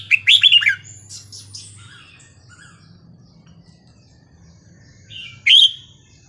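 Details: Red-whiskered bulbul singing a Burmese-style song played to train young birds: a quick warbled burst of bright chirps at the start, quieter notes after, and one more sharp phrase near the end, over a low steady hum.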